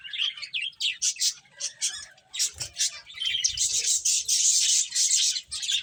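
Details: Separate sharp high chirps from playful finches at first, spaced under a second apart, building into a dense unbroken twittering chorus in the second half.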